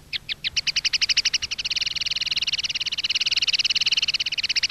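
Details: Common linnet field-style (campero) song used to tutor young linnets: a long, fast trill of bright, even notes, beginning loosely spaced and then steadying into a rapid, regular rattle that runs throughout, over a faint low hum.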